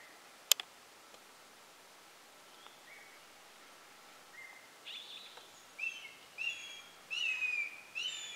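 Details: Changeable (crested) hawk-eagle at Ghotpadi, Bhamragad, 19 October 2018: after a few faint thin notes and a sharp click, a run of about five shrill, high, slurred whistles over the last four seconds.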